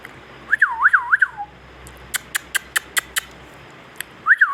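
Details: Indian ringneck parakeet, a Pakistani parrot, giving a loud warbling whistle that wavers rapidly up and down in four quick swoops, then a run of sharp evenly spaced clicks, and the wavering whistle starting again at the end.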